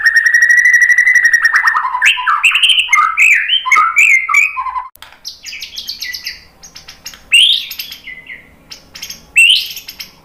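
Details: White-rumped shama singing to provoke other birds into a reply. A long, level trilled whistle leads into rapid, varied chattering and whistled phrases, then softer scratchy notes broken by two loud sudden bursts.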